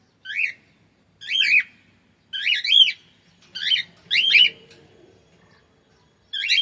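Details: Cockatiel repeating a strident, rasping call about once a second, six loud notes in a steady series, with a faint low murmur under one of them.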